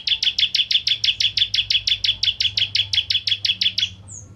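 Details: Crystal ciblek, known in English as bar-winged prinia, singing a fast unbroken series of sharp high chips, roughly three a second, as a lure to set other prinias singing; faint low hum in the background.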